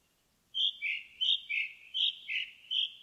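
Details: Indigo bunting singing in a forest: paired high notes, each sharp pair dropping slightly in pitch, repeated about every half second in a steady run, with a quiet, clean background.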